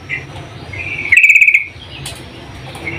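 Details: A female yellow-vented bulbul calls to the male with a single quick, strongly pulsed trill lasting about half a second. Faint chirps come before and after it.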